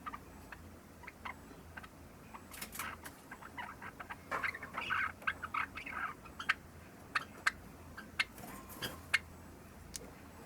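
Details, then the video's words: Subsong practice by a three-month-old Java sparrow kept as a pet: sparse clicks early, a brief warbling cluster in the middle, then scattered sharp ticks spaced about a second apart. "文鳥 ぐぜり（さえずり）の練習"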